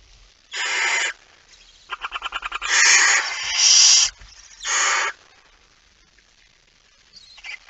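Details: Barn owls at 23:55 on 17 September 2019 as a male comes in carrying a mouse. Long rasping hisses alternate with a quick run of dry, ticking clicks that merges into two drawn-out screeches, then one more hiss.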